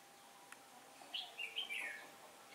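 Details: Decoy red-whiskered bulbul singing to draw wild birds into a trap, recorded 15 October 2017 as the wind changed; a single quick warbled phrase of clear rising and falling notes.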